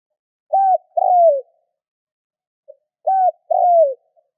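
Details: Spotted dove call used to stimulate other doves to call: two identical phrases about two and a half seconds apart. Each is a short hollow arched coo followed by a longer coo that slides down. A faint low note comes between them.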